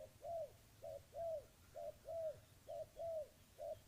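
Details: Dove cooing: soft, low, arched coos in a steady rhythm of paired short-and-long notes, about one per second, with a faint low hum behind.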